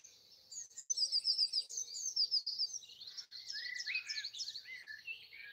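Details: Early morning on Easter Sunday 2020 in Broadford, Kildare, Ireland, birds sing in trees by a house; a rapid high trill opens, followed by tumbling warbles and a few lower slurred whistles.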